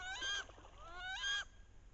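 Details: Two loud rising squeals, each under half a second and ending abruptly, about a second apart. A paired wood duck hen on a bayou in late October, calling during the mating ritual with head-down chasing and posturing to entice drakes.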